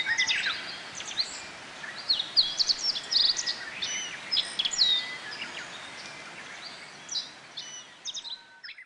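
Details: Nectar-feeding Japanese white-eyes in flowering bottlebrush at a Kobe forest botanical garden on 14 June 2018; a rapid, irregular stream of high, thin chirps and twitters that gradually thins out toward the end.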